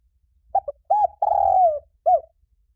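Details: Spotted dove call meant to stir doves into response: clipped double note, a rounded coo, a long drawn tone easing downward, then a single curved closing coo over faint low rumbles.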